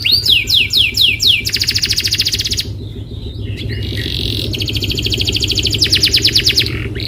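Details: Canary lure song meant to prompt a caged canary to answer and sing: repeated downward-sweeping whistles, then a fast rolling trill, a brief pause, and more rapid trills, over a steady low hum.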